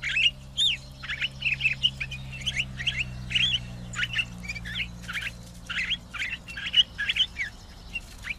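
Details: Pine grosbeak, a finch of northern conifer taiga, singing a quiet run of short chirps and warbled notes in quick bursts over a faint low hum.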